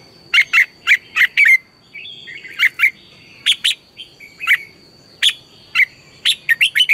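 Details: Red-whiskered bulbul in morning song, a training lure to spur bulbuls into full voice: steady runs of sharp, bright chirping whistles, about ten-plus notes in quick rhythmic groups with brief softer warbling between, faint constant tone behind.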